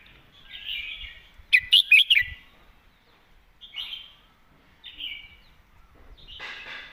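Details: Red-whiskered bulbul, a caged songbird, delivering clearly phrased 'mae bot' main-pattern song: short warbled phrases separated by pauses, with one loud rapid burst of sharp chirping notes near the middle and softer slurred phrases before and after.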